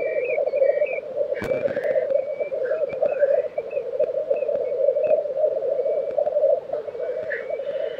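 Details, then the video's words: Lekking black grouse recorded in Tiveden, Sweden, April 2023, keep up steady deep bubbling throughout, with a sharp click near the start and scattered high whistles and chirps from other birds. "Black Grouse Lek - sound recording"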